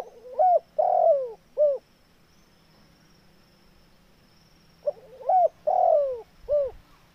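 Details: Lively spotted dove giving two cooing phrases about four seconds apart, each made of short arched notes around a long, loud, falling coo, over a faint steady background hum.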